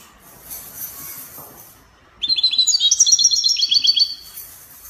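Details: European goldfinch from Morocco singing in the Spanish copia style: after a quiet start, a fast tinkling run of high, bright twittering notes, around four per second, lasting about two seconds, then fading.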